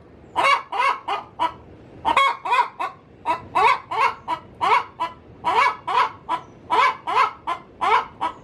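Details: Domestic hen calling in its coop before laying an egg: a series of loud, harsh clucking notes in uneven bursts of two to four, about nineteen per minute, with short pauses between groups.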